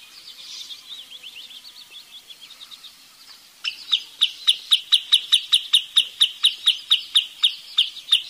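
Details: Wood sandpiper calling: after a few seconds of faint, soft twittering, a run of sharp, high, clipped notes repeats steadily, roughly three per second, about fifteen in a row and evenly loud against a quiet background.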